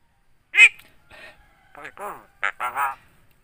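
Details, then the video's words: Javan myna copying human phrases such as "Assalamualaikum": one loud, bright, nasal note, then softer murmured syllables and a rapid, voice-like three-part phrase at the end. "BURUNG JALAK KEBO BISA NGOMONG,ASSALAMUALAIKUM,BATUK DAN NGOMONG HALO CEWEK"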